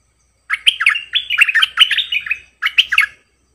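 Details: Singing decoy bulbul performing several songs: a lively burst of warbled, bouncing whistled notes lasting about two seconds, a brief pause, then a shorter phrase of three or four quick, slurred chirps.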